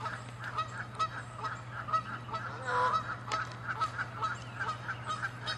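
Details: Canada geese attacking each other over territory, producing a steady series of harsh, nasal honks about once a second, with one longer, louder call near the middle, over a low hum.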